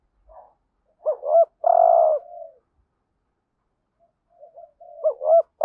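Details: Lure spotted dove urging wild doves with the hap boi voice: a loud looping double note into a long steady coo, a quiet gap, then soft murmured coos and another looping double note.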